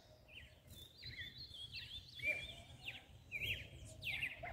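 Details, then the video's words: Rusty-collared seedeater song in the mateiro style, played to excite and stimulate males: short whistled and slurred phrases with brief buzzy notes, separated by short pauses, over a faint low rumble of background noise. "Canto do coleiro MATEIRO Pra esquentar macho."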